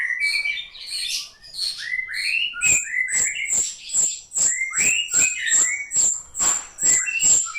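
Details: Ashy drongo song: bursts of rising whistled phrases and chirps, mixed with sharp clicks repeated roughly twice a second through the second half.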